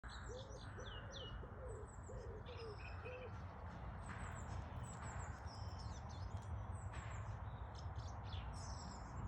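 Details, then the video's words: Birds singing in spring, the song changed from winter calls: high rapid chirping phrases over a series of six short low rising notes, with steady low background rumble. "The sound of spring #shorts #birdsong"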